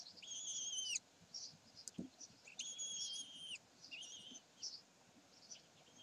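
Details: Common kestrels at Sägeweg, 27 May 2020: long, clear, whistled harmonic notes held about a second each, then shorter squeaky notes, with a single low thump.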